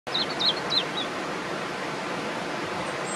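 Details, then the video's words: Singing European robin at Swans Park, Buncrana: a brief burst of thin, high, wavering whistled notes, quickly fading under a steady wash of wind-like hiss. "singing robin"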